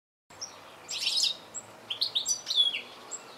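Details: Goldfinch calling with bursts of high, bright twittering notes, scratchy clusters followed by quick descending chirps, set against a quiet background.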